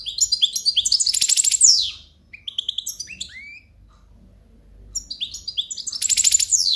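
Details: European goldfinch singing live gives quick bursts of bright, tinkling, high twittering notes with buzzy trills and downward-sliding whistles, phrases separated by short pauses, about three per second in active bursts.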